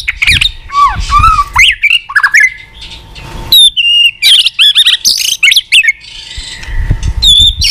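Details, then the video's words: White-rumped shama in full song with tack calls and tail flicking, used to boost young or weak-spirited birds; varied whistled slurs, high squeaky notes and clicks, with some low rumbling noise. "Chòe lửa tạch liên tục.dùng Kích Chòe Lửa yếu lửa,kích bổi nhanh lên lửa hiệu quả,chòe lửa đập đuôi"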